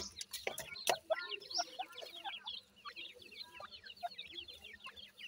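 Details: A brood of Irani teetar francolin chicks cheeping busily: short, high, slurred peeps pour out in an overlapping chorus. A few lower clucks and loud clicks come early, then the chorus runs on steadily.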